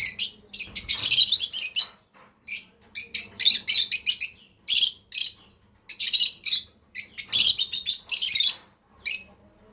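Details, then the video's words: Two lovebirds, a breeding pair, give shrill, harsh chirps in rapid bursts separated by short silences, some bursts running into dense chattering strings. "Lovebirds chirping sound"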